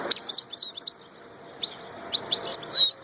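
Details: European goldfinch, described as a royal goldfinch, giving a lively twittering song of rapid, liquid high notes in quick runs, ending with a clear, slightly rising whistled note; little background noise.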